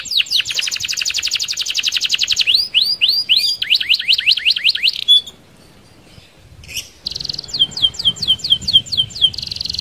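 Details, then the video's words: Canary rolling song for luring other canaries: a rapid high trill, then a chain of falling sweeps, a short pause, and a renewed buzzy burst with repeated down-slurred notes. "SUARA KENARI Gacor Roll Sped Mantap - Cocok Buat Pancingan Kenari Anda."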